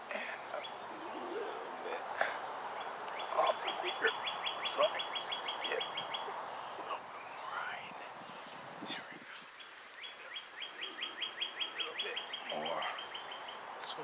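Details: Juvenile Bald Eagles at the Ft. Hunt nest, two birds, May 23, 2015: two bursts of rapid, high, squeaky chirps under a man's talking voice, with breathy background noise between.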